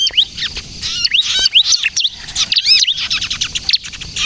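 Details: Ciblek kristal, the bar-winged prinia, singing energetically for luring and prompting other prinias to sing; busy high twittering with quick rising and falling whistles and a loud arched double note mid-phrase.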